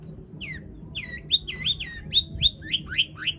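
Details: Long-tailed shrike singing a full, varied song used as a lure to make other shrikes sing: a run of about ten bright, slurred notes falling then rising, repeated a little over once per second over a faint low hum.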